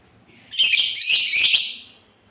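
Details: Sultan tit delivering a loud, harsh, buzzy chatter of around one and a half seconds that swells in three waves, all high-pitched and noisy.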